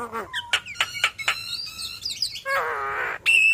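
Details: Chattering song of a yellow-eyed Javan myna showing its imitated fill-ins: a row of sharp clicks and chirps, a wavering whistle, then a long harsh buzzy note and a final bright whistle.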